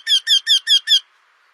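Eurasian wryneck: five loud, nasal, ringing 'quee' notes in quick even succession, about five per second, then quiet.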